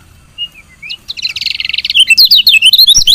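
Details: Female lemon-bellied white-eye giving chirps that stimulate lazy males to sing; a few soft thin notes, then a buzzy trill leading into rapid, loud, high twittering chirps.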